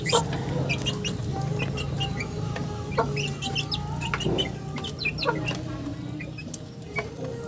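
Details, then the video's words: Chickens cluck in a busy flock: a quick sharp note at the start, then repeated short clucks and some longer steady tones, over a constant low drone. "Funny Chicken Sounds"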